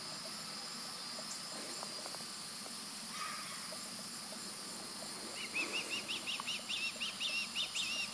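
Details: Juvenile osprey calling in the background while an adult male feeds nearby; after a hissy stretch, a rapid series of high, slurred whistled chirps starts midway and keeps repeating, over steady background hiss.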